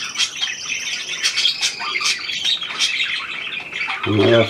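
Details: Budgerigars warble and chirp in a busy high stream around a new hand-tame pied bird, February 2023, before a low human voice cuts in at the end.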